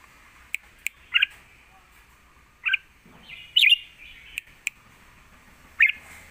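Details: A fierce lak wai master song from a red-whiskered bulbul, intended for teaching young birds: short, bright, slurred whistles every second or two, one longer warble, and crisp clicking taps.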